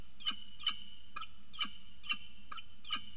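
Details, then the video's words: Male peregrine falcon bringing food to the female on the morning of her first egg at a watched nest. Seven clipped, ringing chips come at uneven intervals over a faint low rumble. "Peregrine falcon male Bula arrives with food for new mum Diamond"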